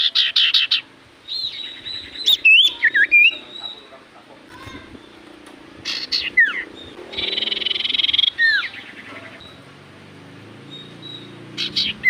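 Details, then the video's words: Common iora in full voice: a varied run of clipped chirps and twisting whistled notes, then a buzzy trill closing on looping downward whistles, with faint low background noise. "Burung sirtu cipoh gacor hitungan detik burung cipoh apapun pasti Langsung nyaut"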